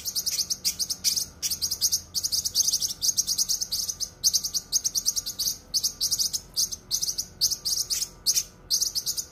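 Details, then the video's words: Sharp, dense cucak kinoi song for training songbirds: a steady stream of rapid high chirps and ticking notes, packed closely together over several seconds. "suara masteran cucak kinoi full suara rapat tajam"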